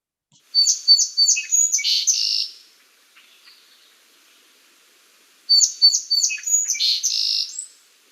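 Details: Two complex songs from a Song Sparrow, a species heard in western Kentucky, each opening with a few clear repeated notes and then a jumbled buzzy trill, about three seconds apart; adult males sing about ten similar song variants.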